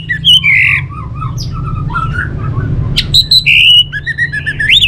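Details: Caged orange-headed thrush from Bali singing varied phrases: slurred whistles, buzzy notes and quick high bursts, shifting pitch often, over a constant low background hum.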